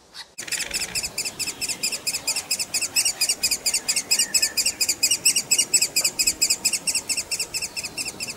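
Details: Hungry woodpecker nestlings calling for parents and food: after a short pause, a fast, continuous, very regular stream of high, buzzy ticking notes runs on without a break.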